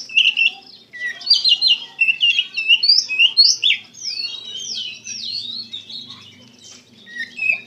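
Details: Oriental magpie-robin in emotional gacor song: an energetic run of rich whistled and twittered notes with sweeping slurs over several seconds, fading to a soft lull before a final loud burst.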